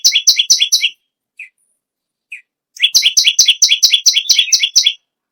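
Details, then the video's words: A bar-winged prinia sings a short run of sharp chirps, then pauses with two soft isolated notes. It resumes with a long, quick, steady series of loud two-part chirps. "BURUNG PERENJAK BAWAH/LUMUT GACOR NGAMUK PARAH"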